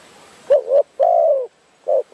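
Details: Spotted Dove from the forests of Phrae, Thailand, cooing at a bird-trapping site while the team waits for birds; four short mellow low coos, one longer drawn-out note, with quiet gaps between.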